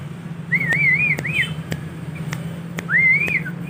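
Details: Young tame male sooty-headed bulbul learning song: two long smooth wavering whistles, each rising then undulating, separated by a short gap, over a strong low hum and faint clicks.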